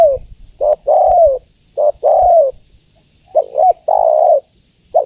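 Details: Female spotted dove calling to a male: repeated coo phrases, each a short double-peaked note followed by a longer, steady, mellow coo, with phrases repeating about every two seconds over quiet low background.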